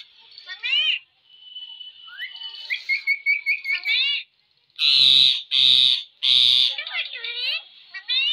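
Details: Talking pet parrot giving thin whistled notes and a rapid series of rising chirps, then three loud harsh squawks followed by wavering voice-like sounds.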